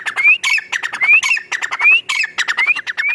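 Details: Female francolin from Rahim Yar Khan, Punjab, Pakistan, used for hunting, giving harsh scratchy squawking notes in quick bursts, each ending in a rising whistled slur, repeated about every half second.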